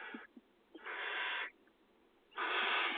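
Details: Barn owl chicks in a nest box in agricultural fields, filmed during feeding in the 2020 nesting season, give harsh, rasping hisses in three drawn-out bursts, each about half a second or more, with short quiet gaps between.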